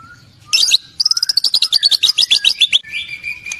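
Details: White-rumped shama (murai batu) from Indonesia, described as singing vigorously with a complete repertoire of learned song material. A thin steady whistle opens, then a loud burst and a fast run of about twenty sharp chirping notes, ending in a level high whistle.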